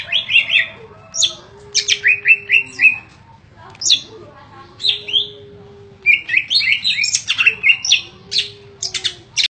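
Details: Caged greater green leafbird (cucak ijo), kept for singing contests, in daily energetic ngentrok form with a full repertoire of fill-in phrases. Loud bursts of sharp chirps, quick trills and varied high notes in rapid phrases with brief pauses, and a faint low steady hum beneath.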